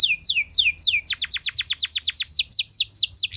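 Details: Canary singing a training song meant to stir other canaries, in the cengkok mewah style: a neat sequence of clear, sliding downward whistles, repeated steadily at a moderate pace, bright and loud.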